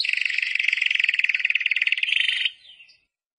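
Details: Timbrado canary delivering a fast, even rolling trill of rapidly pulsed notes for about two and a half seconds, then a soft fading tail.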